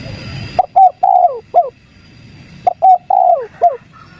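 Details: Spotted dove giving the 'kuk 3' lure call used to make wild doves respond: two mellow four-note coo phrases, each with a drawn-out descending middle note, about two seconds apart, with faint low noise behind.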